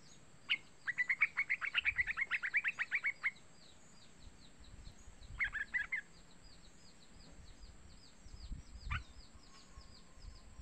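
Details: Young yellow-vented bulbul calling, used as a lure to prompt other bulbuls to call: a rapid run of about fifteen short bright chirps, then a brief second burst and a lone note, over faint steady high insect hiss.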